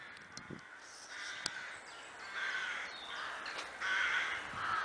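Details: Crows at a roost wood in Kloosterbos, Vaals: a dense chorus of hoarse, ragged caws from many birds, with a few sharp clicks standing out.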